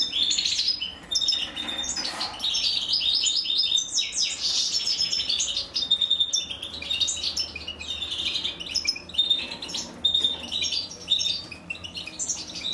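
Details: Female goldfinch feeding her young while the chicks beg with continuous high, rasping chirp trains, repeated in waves over several seconds.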